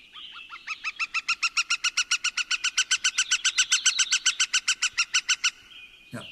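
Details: Northern Flicker long wick-a call: an even series of loud, ringing yelping notes, about four per second for five seconds, ending with a brief click.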